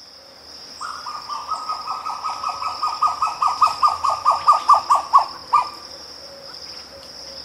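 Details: A Grey plantain-eater in The Gambia, recorded close up, gives a long run of about twenty loud, hollow cackling notes that swell in volume, then break off, over a steady high insect whine.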